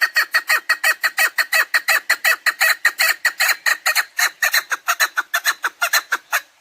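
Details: Chukar partridge call used as a hunting lure: a fast, steady run of loud, harsh chuk notes, about three per second, bright and rasping throughout, tapering slightly at the end.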